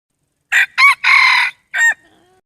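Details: Crow of a red junglefowl: staccato hoarse opening syllables, one prolonged strained note about half a second long, and a quick last call, clean recording with no other sounds.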